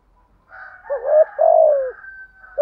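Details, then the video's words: Spotted dove 'thúc gù' cooing, meant to make other doves coo along: a soft breathy murmur, then a hooked coo and a long falling one, with a faint higher tone behind. "chim cu gáy bài bản thúc gù bổi nhát mấy nghe cung phải gáy theo"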